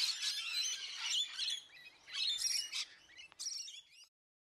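Painted bunting singing bright, high, rapid warbled phrases in three short bursts over about four seconds, with a quiet background.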